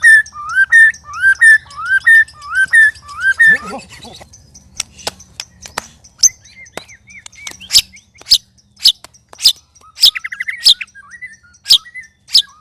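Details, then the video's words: White-rumped shama sparring among three birds, strange and loud: rising-falling whistled phrases repeated about twice a second, then a pause, then sharp scattered clicks with a short buzzy trill and faint whistles. "Murai Keluar Suara Aneh Ketika Di Trex 3 Murai"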